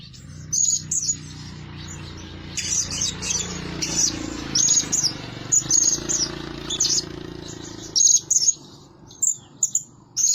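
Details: Blue-crowned hanging parrot kept as a calling lure bird: short, very high, sharp tsit notes delivered in quick clusters separated by brief pauses, with a soft low rumble in the background.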